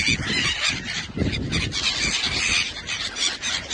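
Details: A flock of gulls over the ocean off Oman, feeding from the sea, calls without pause: a dense mix of harsh, overlapping squawks, honks and wails, with distant caws, over a low rumble of wind or surf.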